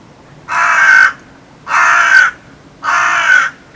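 Three loud, harsh, hoarse 'carr' calls from a hooded crow, each about half a second long and spaced just over a second apart, in a quiet setting.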